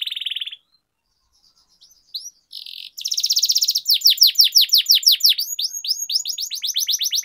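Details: Canary in long-rolling training song. A brief buzzy trill and scattered notes open, then a strong rapid trill leads into a long, even series of fast downslurred whistles.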